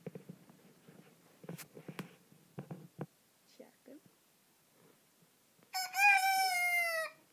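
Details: Rooster crowing at 5 in the morning: one loud drawn-out cock-a-doodle-doo near the end, rising then sustained and falling slightly, preceded by low clucks and soft background sounds.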